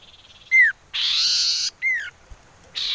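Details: Common iora whistle used as a lure to draw birds into song: two loud falling whistled notes about a second apart, separated by bursts of harsh hissing noise.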